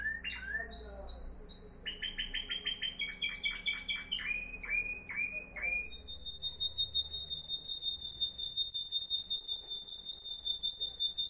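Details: Moroccan Timbrado canary, a discontinuous-style singer, delivering its song: a series of rolled metallic trills on steady pitches, stepping between levels, ending in a long even high trill, over a low background hum.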